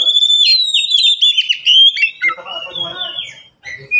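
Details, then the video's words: Oriental magpie-robin kept in a cage alongside two others: a loud stream of sweet, slurred whistles and twittering notes for two seconds, trailing off into softer, lower, scratchy phrases and a final short whistle. "Kicau mania sederhana cocok untuk masteran burung Kacer yang malas bunyi"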